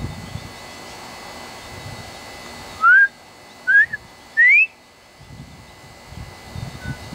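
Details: Male Northern bobwhite whistling from a tree in Texas: two short clear notes, then a longer whistle rising steeply in pitch, heard over low background rumble that fades in and out.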